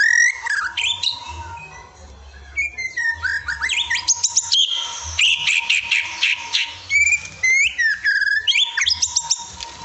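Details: Evening masteran training song of a white-rumped shama (murai batu): dense, fast medley of sharp rising whistles, chirps and buzzy notes with short pauses, over a constant faint tone.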